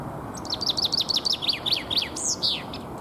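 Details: Chaffinch (common chaffinch) guarding its territory in spring, Alexander Park, Pushkin near St Petersburg, Russia, 17 April 2021. Rapid run of high falling notes that slows toward the end, closing with a loud downward-sweeping flourish.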